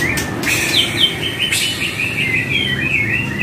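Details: White-rumped shama (murai batu) song for training caged birds: continuous warbling whistles wavering up and down, broken by two sharp clicks near the start, over a faint low hum.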